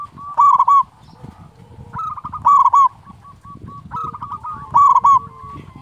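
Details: Local zebra dove with a big, strong voice, used as a lure and model for other doves: loud bubbling cooed phrases roughly every two seconds, each a quick run of rolling notes, with softer trilled notes between and light background rustling.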